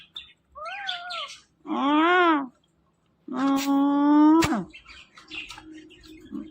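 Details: Indian ringneck parakeet talking: three drawn-out, voice-like tonal utterances with bending pitch, separated by short silent gaps, then faint murmuring sounds in a quiet room.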